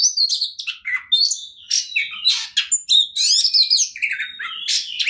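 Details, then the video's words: Oriental magpie-robin pouring out continuous 'ngobra' song to make rival birds sing; dense sequence of whistles, sharp rising and falling slurs and scratchy trills packed into quick phrases. "KACER NGOTOT PANCINGAN TERBAIK BIAR KACER LAWAN CEPAT GACOR, Kacer Gacor Full Ngobra"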